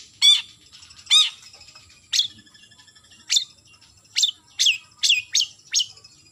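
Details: Long-tailed shrike calling a rival, giving harsh rasping notes followed by an accelerating series of sharp, high downslurred whistles, about eight in six seconds.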